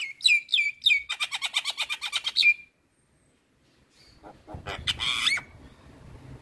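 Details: Javan myna (jalak kebo) singing for masteran training of songbirds: a rapid, regular trill of buzzy repeated notes that ends in a held tone, a short pause, then a harsh squealing burst.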